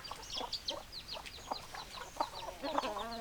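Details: Brief burst of chicken chatter: scattered short clucks and high chirps, ending in a loud, drawn-out harmonic squawk.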